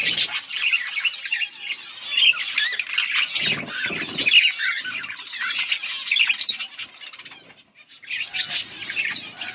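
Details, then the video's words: Budgies chirping and singing, recorded August 19, 2024: dense, continuous warbling chatter of squawks, chirps and buzzy notes, with a short pause near the end before the chatter resumes. "Budgies chirping and singing"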